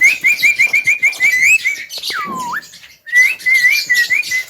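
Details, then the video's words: Javan myna in full song: quick warbled whistles in a rolling series, a single long down-slurred whistle, then more rapid warbling. "BURUNG JALAK KEBO TERGACOR SLALU MEMIKAT PERHATIAN"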